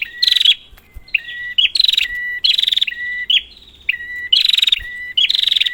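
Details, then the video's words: Prinia calling, meant as a lure for a quiet bird: rasping buzzy bursts, each followed by a long flat whistle lower in pitch, repeated about every second. "Prenjak, Pancingan ampuh untuk burung prenjak macet"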